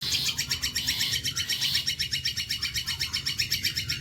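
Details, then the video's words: Long-tailed shrike singing a bolo panjang style song used as tutoring material for other songbirds: a steady, fast, harsh pulsed chatter of high buzzy notes rolling on for the whole stretch, with faint low background hum. "MATERI ISTIMEWA BOLO PANJANG"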